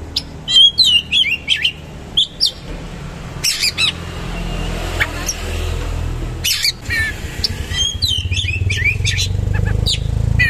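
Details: Oriental magpie-robin in full song with rough, rolling material and rich fill: sharp whistled and buzzy notes at the start and again near the end. A steady low rumble fills the middle.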